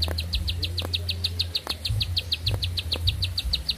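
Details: Bar-winged prinia in full, long-winded song: crisp high chirps repeated quickly and evenly, a little uneven in spacing, above a prominent low droning hum.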